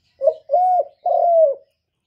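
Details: Single spotted dove phrase: a short soft lead-in, then two long, smooth, gently falling coos, clear and close, with nothing else audible.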